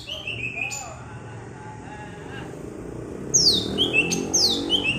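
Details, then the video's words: Bebeci song of a green leafbird from Alas Purwo, Banyuwangi: a high whistled phrase, a quiet pause, then several loud downward-sweeping whistles in quick succession against a murmuring low background. "SUARA BEBECI CUCAK IJO ALAS PURWO BANYUWANGI....ASLI!!!"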